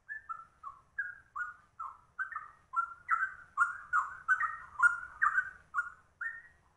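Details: A straw-headed bulbul sings the trucuk style with ropel speed: a steady stream of short, rounded warbles, growing louder and denser midway and running about two and a half per second.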